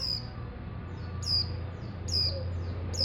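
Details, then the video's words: Untrained hobby-kept mountain white-eye (pleci montanus) giving high, thin, downslurred chirps repeated about once a second over steady low background hum. "pleci Monty bahan"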